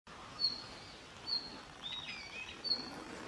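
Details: A red-flanked bluetail (Tarsiger cyanurus), recorded on New Year's Eve, 31 December 2022, gives four thin, high, short call notes about a second apart over a steady hiss of background noise.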